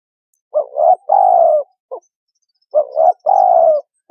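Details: Spotted dove calling, used to lure birds for trapping. Two soft, mellow phrases, each a short doubled note and a sustained descending coo, with a brief clipped note after the first.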